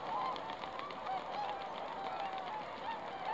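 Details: Many swans calling together on a foggy lake, December 20, 2016, with loud nasal whooping honks overlapping densely and several clear, slightly wavering notes standing out at the start and end.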